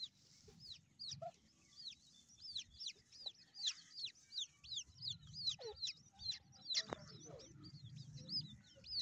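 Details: Steady stream of high, falling whistled peeps from grey francolin chicks, repeated roughly every half second for nine seconds, over low rumbling background noise and occasional knocks.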